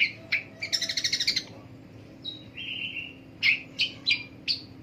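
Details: Long-tailed shrike calling in the morning: a run of harsh, buzzy, rapidly repeated notes, then a sustained nasal tone and several sharp separate chattering notes, over a low steady background hum.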